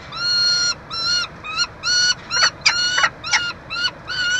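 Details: Peregrine falcons at a University of Montreal nestbox, Quebec, Canada, 22 June 2023, while a chick is fed; drawn-out nasal wails alternate with shorter, sharper overlapping notes in a rapid, uneven run.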